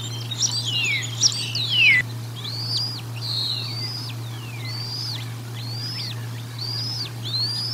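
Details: During a feeding at the Decorah North nest, dated 04 01 2022, a bald eagle gives squealing, whistled notes. A tangled cluster of falling squeals comes first, then a row of high, arched chirps about every half second, over a steady camera hum.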